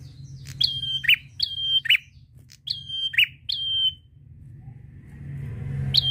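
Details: Prinia in ngalun style, used to set other birds singing. Four whistle-and-buzz phrases and a lone whistle, then another whistle near the end as a low engine-like rumble grows.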